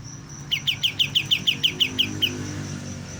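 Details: A young white-shouldered triller, just beginning to sing, gives a quick, even series of about ten short, bright chirps that trail off, against a faint constant high-pitched whine.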